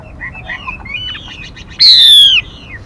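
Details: Female Mi as a trapping lure: quiet scattered chirps, then one loud, drawn-out whistle that falls in pitch.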